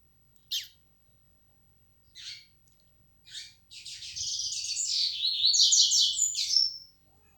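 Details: Three spaced short chips, then a yellow-bellied seedeater launches a three-second flecha negra style song of high, rapid twittering and buzzy trills ending in a thin whistle.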